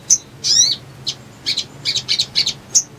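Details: Little Spiderhunter (sogon) lure for bird trapping: a brief high tick, one longer sweeping chirp, then a scattered series of short, sharp high chips.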